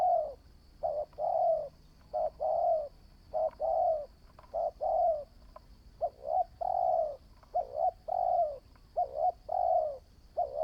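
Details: Sustained cooing from a spotted dove being trained as a new decoy: dense runs of short and long hollow coos, the long ones slightly falling, nearly continuous over ten seconds, with a faint high whine.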